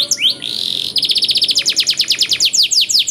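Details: Ornate canary master song: a short whistle and a sustained buzzy note, followed by a fast series of rattling, repeated notes.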